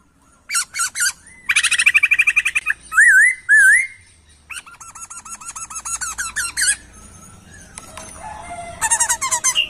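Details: Laughingthrush singing on a master recording for songbird training: rapid stuttering note bursts, loud wavering whistled phrases and a long buzzy rattle, with a low background hum.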